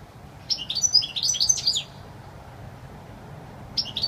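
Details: European goldfinch singing wild song: rapid tinkling twittering phrases of high, sharp notes in a burst of about one and a half seconds, then a pause and a fresh phrase starting at the end; faint low background hum.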